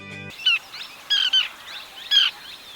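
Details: Small pratincole (Glareola lactea), a resident bird in Sri Lanka, gives four short, sharp, high chirping calls in quick bursts, two close together, after a brief snatch of music.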